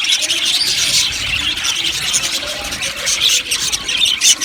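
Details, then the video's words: Budgerigars in an aviary colony, a dense continuous chorus of high chirps, squeaks and warbling chatter from many birds overlapping, with no pauses throughout. "Amazing Budgies chirping sounds | Budgies parakeets sounds"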